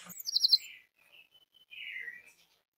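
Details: Orange-headed thrush singing as a lure to make others of its kind sing: a quick trilled flourish, then softer, drawn-out warbled and whistled phrases that fall slightly in pitch.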